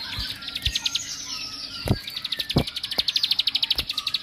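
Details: Bar-winged prinia singing to excite other prinias: a thin rising whistle leads into an accelerating string of high, clipped chirps, while several sharp knocking clicks sound in the background.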